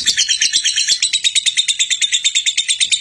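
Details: Lovebird singing in the continuous konslet style, a recording meant for training other lovebirds: rapid, harsh high chirps repeated about three times a second in an unbroken chattering stream.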